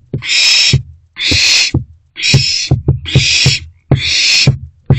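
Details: Three owlets staying in their nest box, 13 April 2024, between late night and midday: harsh hissing screeches repeated about once a second, with clicks and thuds from the birds moving.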